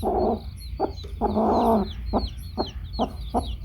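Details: Hen clucking among her baby chicks: a longer low cluck run followed by quick single clucks, with thin high chick peeps and low background rumble throughout.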